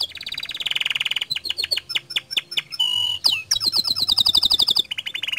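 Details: Canary song meant to prompt other canaries to sing, a fast chopped trill, then quick falling notes, a sharp metallic rising whistle and a high rolling trill, all bright and loud.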